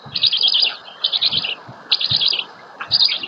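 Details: Female black stork feeding chicks at the nest, Łódź, Poland, 27 May 2020. Four bursts of high, trilling chirps, each lasting about half a second, are spaced by brief gaps, with faint low thumps beneath.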